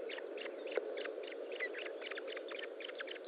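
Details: Osprey calling at the nest during a feeding on 25 June 2012 late morning; fainter short chirps repeated unevenly, with constant background hum and one soft knock.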